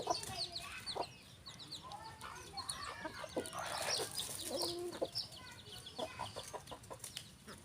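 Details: Rooster and hens on a farm: a busy mix of short clucks and harsh squawks, with thin high chirps from smaller birds and scattered clicks throughout.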